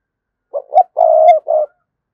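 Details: Spotted dove lure coo intended to provoke a response: a clear four-part phrase of a short coo, a rising clipped note, a long loud steady coo, and a final shorter coo, in silence.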